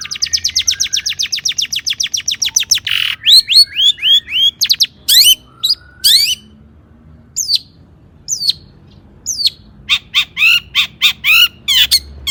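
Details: Long-tailed shrike (pentet) singing varied mimicry as a lure for other shrikes: a long rapid trill gives way to swooping slurred notes, clipped sharp calls and spaced high whistles.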